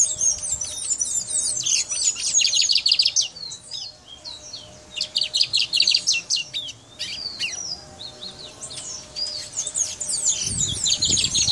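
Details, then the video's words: High, rapid, twittering song of a brown mustache finch from Guyana, given in bursts of fast chirped notes with short pauses between phrases, and a brief low thump near the end. "Guyana Brown Mustache Singing"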